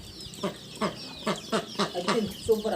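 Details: Hungry chickens waiting to be fed in the early morning cluck loudly in quick, harsh bursts about three times a second. Guinea fowl and ducks call around them.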